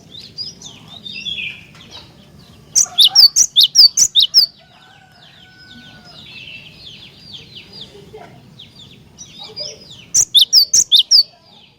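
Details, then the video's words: Cinereous tit singing energetically as bait to get other tits singing. A run of about eight sharp, high, ringing notes comes early, then a long stretch of scattered soft bird chirps, then a second burst near the end. "Jika Glatik Batu Anda Di Pancing Dengan Kicauan Glatik Batu Gacor Ini"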